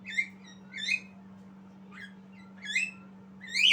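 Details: Javan myna youngster practising its song: short rasping notes sliding downward, one faint dropping whistle, then a louder harsh burst at the end, with a constant low hum behind.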